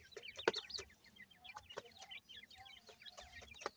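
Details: Young francolin chicks in care: a loud sharp click early on, then steady streams of high, thin, falling cheeps from several chicks with occasional taps.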